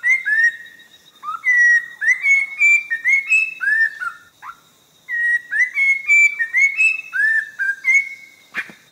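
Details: Orange-breasted laughingthrush at forest edge on the Langbian Plateau, southern Vietnam: two long runs of clear whistled notes, rising and falling, separated by a short silence, ending with a sharp click.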